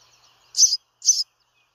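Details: House sparrow giving two short, bright chirps about half a second apart, each a brief harsh high note, against an otherwise quiet background.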